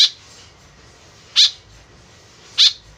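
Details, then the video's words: Three short, harsh calls of a white-breasted woodswallow, used to attract birds, with gaps of over a second between them and faint background hiss. "BURUNG KEKEP BABI GACOR SUARA JADI PIKATAN . SUARA BURUNG KEKEP MENDEKAT"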